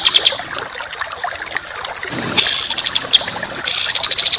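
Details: Harsh, close-packed songbird bursts from a contest-bird training recording: scattered high chips, a quiet gap, then loud buzzy rattling trills in two rough bursts.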